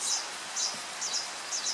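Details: Buff-tailed coronet hummingbird in cloud forest at San Antonio km-18, western Andes of Colombia near Cali, giving thin, very high chips in quick pairs about every half second over a steady hiss of falling rain.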